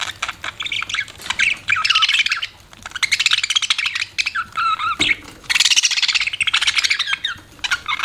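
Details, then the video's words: Budgies chattering continuously, a rapid stream of buzzy, rasping notes and squeaky whistles with fast ticking pulses, one brief break near the middle before the busy warbling resumes. "BUDGIES CHIRPING SOUND"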